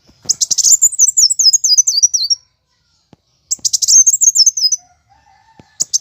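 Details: Plain sunbird giving its fighting song, a lure recording for caged birds: two bursts of very high, rapid, thin twittering, each about one to two seconds, notes sliding downward in zigzag steps, separated by a short silence.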